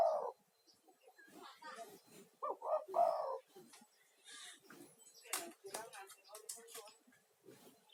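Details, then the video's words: Spotted dove, a vocal male used as a lure caller to attract other doves, also played to calm stressed caged doves: two soft, low, rolling three-part coos, one at the start and one near three seconds, amid scattered clicks and rustling. "SUARA TEKUKUR GACOR UNTUK TERAPI"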